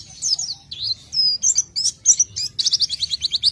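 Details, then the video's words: Oriental white-eye, called pleci, delivers gacor isian singing. Varied high whistled slurs and scratchy notes give way to a fast run of evenly repeated sharp chirps near the end. Soft low background rumble. "isian burung pleci gacor"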